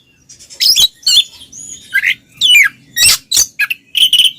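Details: Oriental magpie-robin pair in ngeplong song meant to stir silent birds into singing: a varied string of scratchy chirps, clear whistles and downslurred notes in quick succession.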